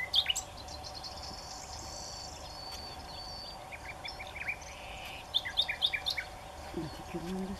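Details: A common nightingale sings from high on a tamarisk branch, giving varied phrases of sweet whistles, a drawn-out high note and quick chattering trills, over a steady background hiss and a brief low voice.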